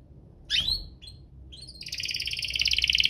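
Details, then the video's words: Two energetic canaries singing as a duo, used to prompt other canaries to sing and to tutor young canaries: a few sharp high chirps, then a steady, rapid, high trill that builds in loudness. "Kompilasi DUO GACOR, cocok untuk pancingan kenari biar gacor, masteran kenari paud"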